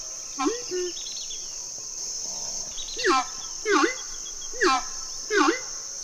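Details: Horned screamer, locally called Arauco or Aruco, from the wetlands and savannas of the Orinoquía; loud honking two-part calls, each a rising then falling hoot with bright harmonics, repeated about every 0.7 seconds over steady high insect buzz.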